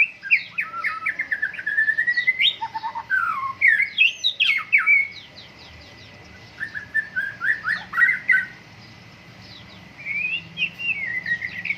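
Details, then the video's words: Caged white-rumped shama in morning dew airing, pouring out long rapid runs of varied whistles and chatters, pausing briefly, then resuming with more fast phrases. "MURAI BATU GACOR, PROSES BURUNG MURAI PENGEMBUNAN PAGI"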